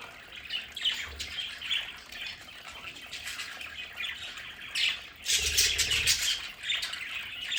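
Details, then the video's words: Pet budgerigars in their home play area keep up quick, scratchy chatter and squawks, swelling into a loud dense burst near the end with low fluttering thumps. "Sonidos de budgies para Budgies en casa"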